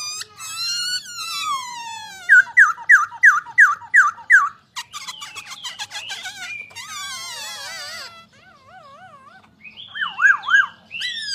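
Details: Masked laughingthrush (Poksay Hongkong) singing a varied song: descending whistled slurs, a fast run of five loud upswept notes, buzzy chattering phrases, wavering warbled notes, then loud repeated slurs again.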